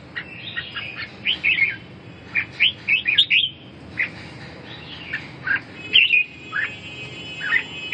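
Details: Red-whiskered bulbul singing short, bright, warbled phrases that rise and fall in a mid-to-high register, delivered in quick bursts separated by brief pauses, over a faint low background hum.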